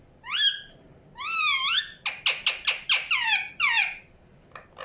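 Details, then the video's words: Indian ringneck parakeet chirping: rising harmonic whistled notes, then a fast run of sharp descending chirps and arched squawks, ending in short faint clicks; no other sounds. "PARROT CHIRPING SOUNDS | NATURAL SOUNDS PARROT CHIRPING"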